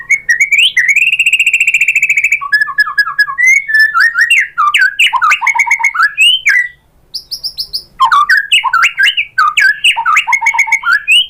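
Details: White-rumped shama song meant to make other shamas answer: a long varied run of loud whistles, a sustained buzzy trill near the start, then rapid rising and falling phrases with a short pause midway.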